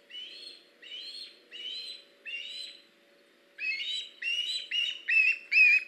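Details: Osprey at a nest on a live nest camera, in late August, with a young bird perched in a tree while an adult brings a fish; series of repeated whistled chirps, accelerating and growing louder over the final seconds, with a steady low hum.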